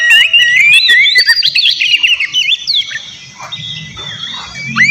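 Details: Provoking song of a White-rumped shama meant to draw a rival's reply: a bright tangle of looping whistles and chirps, loud at first and then thinning into softer scattered notes before a final upslur.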